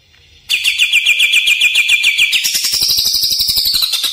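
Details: Greater green leafbird lure call for luring and training birds: a rapid, even string of bright whistled notes repeated several times a second, shifting halfway into a higher buzzy chatter that continues to the end.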